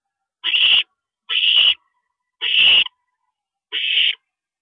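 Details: Owls in a nest at 2:40 AM, April 22, 2012, with a parent visiting; four rough, wheezy screech bursts, some slightly longer, in close uneven succession.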